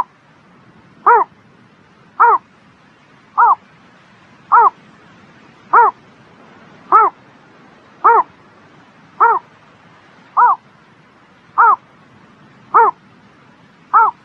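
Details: Bird calling on a spring morning with a long, steady series of about twelve short, arching, harmonic notes, one roughly every 1.2 seconds, against faint steady noise.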